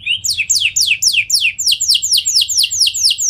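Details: Singing canary, used as a lure so other canaries reply and sing: a lively series of high, downward-gliding whistled notes, about three per second, each sweeping sharply from high to lower pitch.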